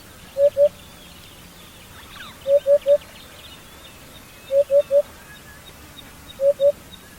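A hoopoe gives soft, low hollow hoots in quick groups of two or three, 'oop-oop-oop', repeated about every two seconds, with faint distant bird chatter.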